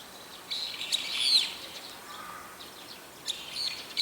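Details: Daytime calls from a small group of brown-eared bulbuls using about four call types: a short shrill, descending squeal near the start, then faint thin notes amid soft outdoor background.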